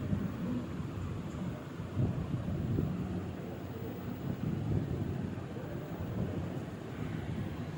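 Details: Low rumbling wind and engine-like noise buffets the microphone throughout, with no whistling or other animal sound.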